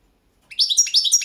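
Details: Balkan goldfinch (Carduelis carduelis balcanica) singing for a 2022 world championship entry, a quick run of high tinkling, jumbled twitters and chirps starting after a brief silence.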